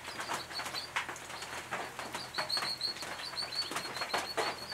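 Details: Brown Treecreepers of the eastern subspecies Climacteris picumnus victoriae at a nest box in restored former farmland, Capertee Valley, NSW, late August 2018. A rapid series of short, high piping notes runs over scratchy tapping and rustling.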